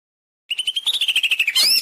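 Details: Greater green leafbird master song for training caged birds to sing: a rapid run of buzzy notes near a steady pitch, rising into a high whistled flourish at the end.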